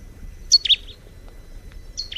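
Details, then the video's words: Ciblek, the bar-winged prinia, giving a brief high chirp and a sharp downslurred note, then one more downslurred chirp after a pause, with faint low rumble behind. "Terapi kicauan alam burung ciblek"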